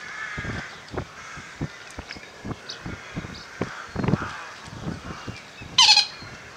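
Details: Eurasian coots sparring in mid April around midday on a misty day, recorded handheld on a Panasonic SDR-S26 from the Zeiss Hide at WWT Slimbridge; one loud sharp call near the end over repeated splashing thuds and distant wetland bird chatter.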